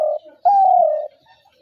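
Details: Spotted dove giving one long, steady, mid-pitched coo that holds level for about half a second, preceded by the tail of an earlier note, with quiet surroundings.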